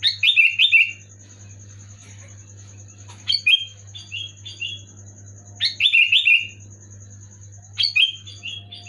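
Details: Sooty-headed bulbul (kutilang) delivering loud gacor song to get lazy birds singing: four bubbly whistled bursts of three to five notes, each roughly two to three seconds apart, some trailed by softer double notes; steady hum and whine throughout.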